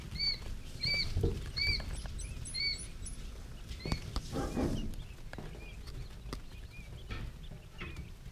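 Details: Three-day-old quail chicks giving thin, clipped chirps in a brisk series during the first few seconds, then sparser, fainter peeps among steady rustling, scratching and pattering close by.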